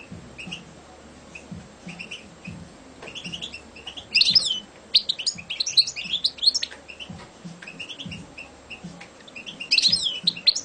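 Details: Champion competition European goldfinch delivering liquid, twittering song in bursts separated by brief pauses, with rapid high chirps and trills and low thumps in the background.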